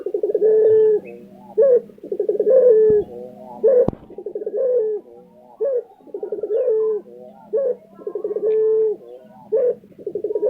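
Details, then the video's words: Repeated rolling coos of a kept lutino Barbary dove in Indonesia, phrases about two seconds apart, each a brief rising note then a purring pulse train ending in a held tone. A low steady hum and one sharp click are heard. "puter lutino gacor tembus 2 menit"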